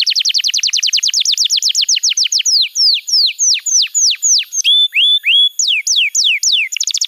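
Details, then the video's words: Canary master song for training young canaries: rapid trills of short high notes, then a series of loud downward-sweeping whistled notes about twice a second, some ending in flat whistles, clean background. "Masteran Kenari PAUD & Pancingan Kenari MACET BUNYI"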